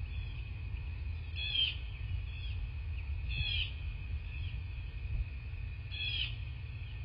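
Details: Bald eagles at a nest in southwest Florida, caught by a nest camera on 22 February 2024 in the morning; three faint, high, chittering call bursts a few seconds apart over a steady low hum.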